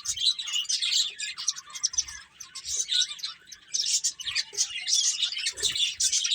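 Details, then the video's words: Several finches chirp at once in a steady, high, bright chatter of quick overlapping notes, with no other sounds. "Cute Birds Chirping Sounds | Beautiful Finches Playing"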